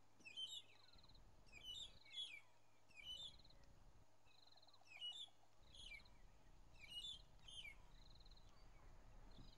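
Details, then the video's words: Four or five Magpie-shrikes scattered around on a 15 April 2011 morning drive call together as a family to mark territory and strengthen bonds: loud fluty whistled phrases repeated roughly every second, with a buzzy pulsed note between. "Magpie-shrike singing"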